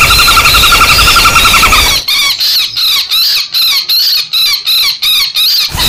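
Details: Common flameback lure call. A rapid rattling trill lasts two seconds, then breaks into a string of high, harsh, wavering screams. The screams repeat roughly every third of a second, suggesting a bird in distress or fighting.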